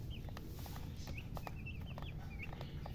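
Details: Baby chicks peeping: scattered short upward-flicking chirps every fraction of a second, over a steady low rumble with light tapping sounds.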